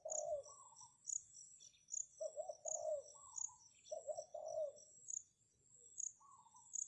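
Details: Spotted dove heard as a decoy to attract wild birds: softer, more distant hoarse coos in short broken bursts over loud, rhythmic high-pitched insect ticking and a low rumbling background.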